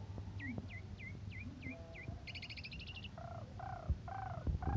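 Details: Asian pied starling in morning and evening condition, recorded as a model for other birds: six falling whistled notes in steady series, a buzzy pulsed phrase, then lower nasal harmonic notes, with thumps and hum in the background.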